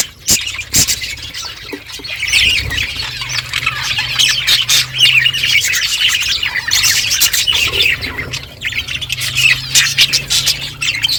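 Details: Pet budgies chirp as they feed: a long stretch of constant high twittering and squawky warbling from many birds, with clicks and a faint low hum.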